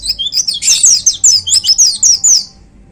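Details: White-eye in a hanging cage delivering a 'tembakan' shooting burst: tightly packed, shrill descending whistles at a fast steady pace, ending suddenly after about two and a half seconds.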